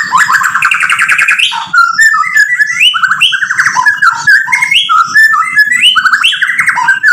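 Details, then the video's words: White-rumped shama in full chattering song, used as a lure to provoke other shamas into answering: rapid run of varied whistled and chattering phrases, rising and falling notes tumbling together without pause, over a low steady hum. "MURAI BATU GACOR bikin EMOSI lawan jadi NYAUT BUNYI BONGKAR MATERI ISIAN ampuh buat PANCINGAN murai"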